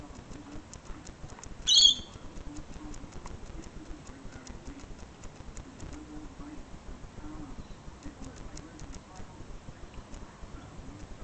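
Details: Lorikeet on a balcony in Sydney giving one loud, harsh, high screech, short and sudden, followed by a quiet stretch of low, soft cooing and light ticking sounds.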